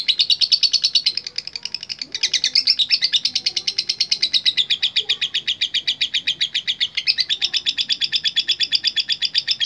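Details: Lovebird in the energetic 'latah gacor' style, used in bird contests for calling rivals: a dense, unbroken stream of rapid, shrill chirps that runs nearly nonstop, with one brief dip and a short break near the end.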